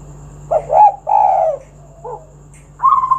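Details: Spotted dove, lure recording for other doves: a short hoarse double note, then a longer low rounded coo, a quiet pause with a soft faint note, and a steady higher coo at the end.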